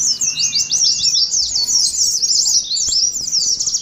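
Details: Oriental white-eyes giving a fast 'ngeriwik' twitter to prompt other white-eyes and simulate a contest; thick run of high chirps, soft lower whistles and a faint click or two.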